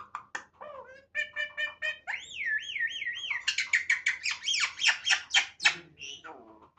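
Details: Talking myna producing varied vocal mimicry: short chirps and nasal repeated notes, a wavering whistled phrase that rises and falls several times, then a fast series of loud, piercing squawks in quick succession.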